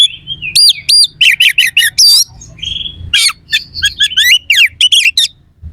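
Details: Competition Oriental magpie-robin singing rough fill to anger other birds: looping whistled slurs, quick rising and falling notes and harsh chattering strokes in dense runs, with a steady low background hum.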